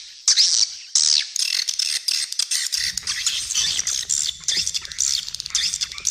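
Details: Edible-nest swiftlet calling sound made to lure swiftlets at feeding areas and flight paths: dense, high, rapid twittering chirps in unbroken ratchet-like bursts, with a low steady hum underneath in the second half.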